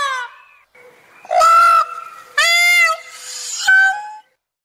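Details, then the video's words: Indian peafowl, from a set of Asian animal sounds, gives three loud, nasal, wailing cries, each about half a second long and spaced roughly a second apart, with fainter calls between them. "Paon bleu"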